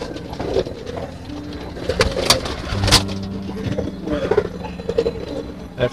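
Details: Pigeons in a loft during feeding, giving soft low throaty coos in short bursts over steady ambient background music, with some brief speech and clatter.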